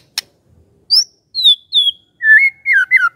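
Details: Magpie-robin song played to make a quiet bird answer: a sharp click, then three high, clear descending whistles, followed by lower wavering whistled phrases.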